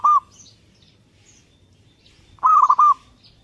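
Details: Perkutut (zebra dove) song: the end of one coo, a pause, then a phrase of three or four rounded, clipped cooing notes, with faint high twitters in the background.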